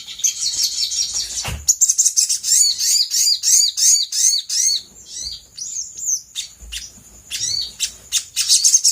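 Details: Brown-throated sunbird used as a lure to prompt other birds to respond: a run of rapid, high, rising-and-falling chirped notes repeated about three times a second, then sparser sharp tweets.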